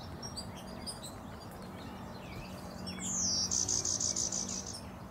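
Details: Male warbler, thought to be a backcross hybrid with a trace of golden-winged ancestry, giving its unusual chickadee-like call: a high descending slur followed by a rapid run of about seven buzzy, evenly spaced high notes. Faint distant birds in the background.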